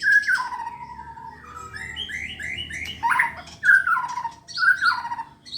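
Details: Actively singing white-rumped shama readied for competition: a long falling whistle, a chain of quick upslurred notes, then three loud phrases, each opening with a bright note and dropping into a lower trailing whistle.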